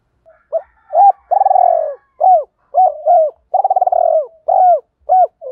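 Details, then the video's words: Spotted dove giving the rapid 'thúc' calling used to draw wild doves: a fast run of short low hooked notes mixed with longer pulsing coos, repeated almost without pause. "tiếng thúc + gáy gọi giọng to rõ [ tiếng gáy tập bổi và mồi nổi nhanh và bền bỉ ] chim cu cườm gáy"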